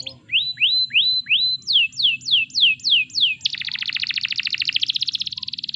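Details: Canary singing, recorded as a lure to get other canaries singing: a series of rising then falling looping whistles about three per second, followed by a fast dense buzzing trill.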